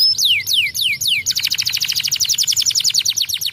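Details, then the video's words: Canary song in two parts: a few loud, falling whistled slurs, then a fast, buzzy, rattling trill of rapidly repeated notes. "Welcher Kanarienvogel kann den Klang dieses Kanarienvogels ertragen?"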